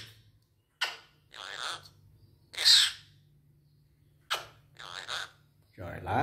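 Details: Red-breasted parakeet giving harsh, broadband screeching squawks in short bursts about a second apart. Low hum and faint rustling sound between the calls.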